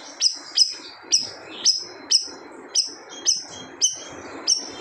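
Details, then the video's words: Siri-siri bird in full, loud song said to make other birds fall silent: sharp, high whistled notes that drop quickly and trail off, repeated about twice per second over a soft background hiss. "SIRI-SIRI GACOR TEMBAKAN SADIS BIKIN BURUNG LAIN DIAM"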